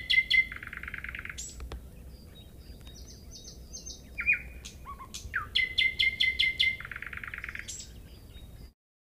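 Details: Common nightingale in song, with fast rattling trills of repeated notes, short piping whistles and slurred calls, against a low rumbling background.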